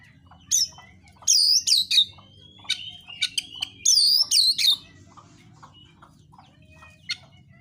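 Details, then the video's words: Oriental magpie-robin fighting song, sung to provoke rival birds into singing; loud grouped bursts of looping whistles and harsh chatter come in two clusters, followed by quieter scattered notes over a low hum. "KICAUAN KACER NARUNG"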